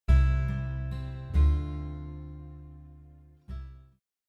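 Low plucked string notes ring out and slowly fade, struck again a few times, with no animal voice anywhere.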